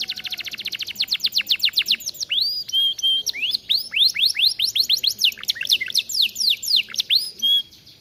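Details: Vigorous Atlantic canary song used for training: a very fast series of sharp repeated chips, then flowing swooping whistles and rapid trills with a few pure held notes, continuous and loud.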